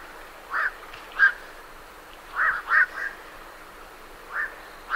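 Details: Close night herons flying from a roost utter hoarse, rasping croaks, single or in quick pairs, with uneven pauses between them.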